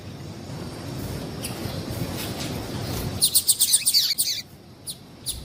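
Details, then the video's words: Female double-collared seedeater call for exciting males: a fast burst of high, sharp chirps run together for about a second, then a few scattered single chirps, with soft low noise underneath. "Melhor Piado de Fêmea de Papa capim Para Esquentar Papa capim"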